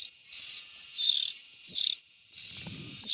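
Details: Young bulbuls give harsh, buzzy, hissing notes, each about a third of a second long, repeated in uneven bursts with short pauses between them. A faint low rustle is heard near the end.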